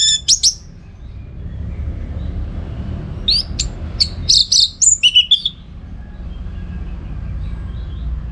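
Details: Orange-headed thrush in full song, used as a training recording for contest birds: a brief high chirp burst, a pause, then a rapid run of sharp whistled and buzzy notes near the middle, with a low steady background hum.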